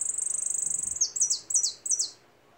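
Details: Fast buzzy trill from a goldfinch giving way to four separate high downslurred whistled notes spaced about half a second apart, then silence.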